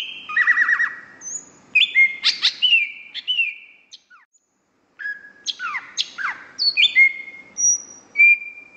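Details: A champion greater green leafbird sings a rich medley of stuttered bursts, clipped chips, steep downslurred notes and thin high whistles. The song is meant for tutoring other birds and restoring their singing, and it breaks off for one silent second midway.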